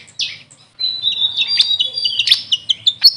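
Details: Grey fantail, locally called Maria Capra: a short, high squeak followed by a thin, sustained whistle and several sharp chirps.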